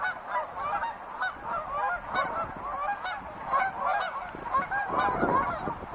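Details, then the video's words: Loud, close honking of wild geese, bursts of nasal calls swelling and fading in waves, with a deeper rumbling note near the end. "sounds of wild geese"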